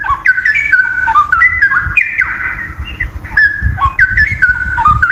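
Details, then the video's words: Wild straw-headed bulbul (cucak rowo hutan) singing a rich, liquid warbling phrase of mellow whistled notes that step up and down in quick succession, continuous through the stretch, over low background rumble. "Masteran burung cucak rowo hutan gacor"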